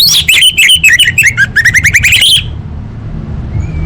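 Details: Lure recording of orange-headed thrush song for caged birds: a rapid, varied warble of slurred whistles wavering up and down for over two seconds, then stopping abruptly, leaving a low background hum.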